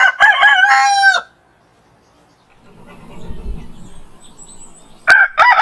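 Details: Domestic rooster crowing at dawn: one full crow with a held, wavering final note, then a low rumbling lull, and a second crow starting at the end.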